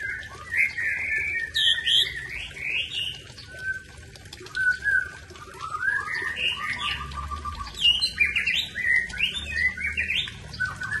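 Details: White-rumped shama, Aceh type, singing long varied phrases of chattering trills, buzzy slurs and sweet rising whistles, pausing briefly between bursts, with a constant low hum behind.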